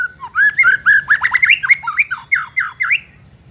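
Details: White-rumped shama in full, energetic song meant to provoke rival shamas: a loud, rapid run of varied whistled and slurred notes, rising and falling in quick succession, several per second, with no other clear sounds.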